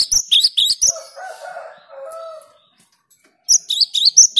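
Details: Cinereous tit (gelatik batu) giving quick, bright, high repeated whistled notes at the start and end, with a lower drawn-out harmonic sound and a pause between.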